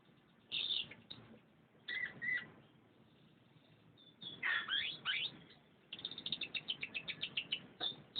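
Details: Canary singing in short bursts separated by quiet gaps: bright chirps and downward-sweeping whistled notes, then a fast, evenly repeated trill of clipped notes near the end, over a faint low background hiss.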